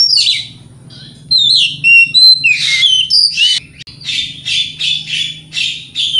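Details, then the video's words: Oriental magpie-robin singing a provoking lure song for other magpie-robins: bright, high whistles and warbles run into a rapid series of harsh, buzzy notes repeated several times a second. "30 Menit Dengarkan Pancingan Kacer Ini - Kacer Jenis Apapun Gak Kuat Nahan Emosinya"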